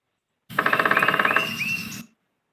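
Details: A woodpecker drumming on a tree: a fast, even roll of about fifteen knocks in under a second, then a fading rattle with a faint rising whistle.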